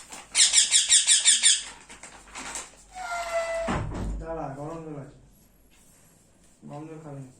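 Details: Rose-ringed parakeet chick calling for food while being fed: a quick series of grating pulsed squeaks at the start, followed by a tonal whine, a thump and a person speaking.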